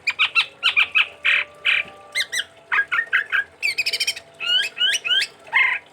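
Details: Sumatran chestnut-rumped babbler in dense, continuous song: rapid chattering notes, buzzy rasps and stacked metallic trills, ending with a string of rising whistled slurs.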